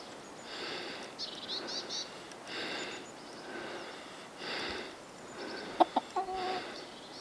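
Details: Pekin Bantam rooster, a Chinese dwarf chicken, crowing on command from its keeper: a series of thin, squeaky, hoarse bursts, each under a second, spaced through the recording, with a brief clear tonal note and a few clicks near the end.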